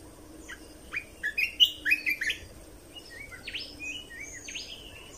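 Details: Red-whiskered bulbul song played to train young birds and get birds excited: a fast burst of loud chirpy whistled notes, followed by softer scattered slurred whistles, over a faint low hum.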